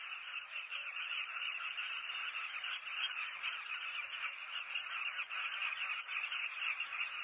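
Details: Breeding colony of southern carmine bee-eaters, South Luangwa, Zambia, heard from a hide; continuous massed chatter of countless birds calling at once, steady in loudness throughout.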